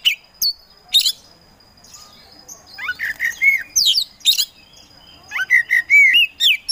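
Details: Oriental magpie-robin, a caged kacer kept for songbird contests, in a lively gacor singing bout: sharp high chips and clicks, then rising slurred whistles and warbled phrases, with bursts resuming after a short pause.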